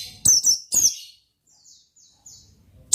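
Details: Brief burst of Oriental white-eye song, gacor ngalas style: two loud, shrill descending chirps, a scatter of faint thin whistles, then another sharp chirp at the close.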